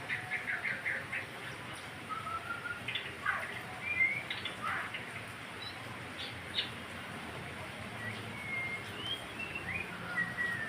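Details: White-rumped shama song, played to stimulate other birds into singing: scattered short whistled notes and quick rising slurs at mid-high pitch, a few brief buzzy bursts, all over a steady background hiss.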